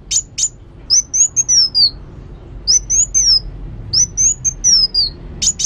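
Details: Kolibri wulung sunbird singing actively, opening and closing with sharp high chips, with short phrases of thin whistles that rise then fall away in between.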